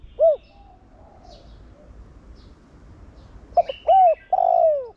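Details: Thổ Đồng-style cooing from a decoy spotted dove meant to get other doves calling; a lone short coo, a pause with faint background birds, then stuttering notes leading into a long falling burry coo.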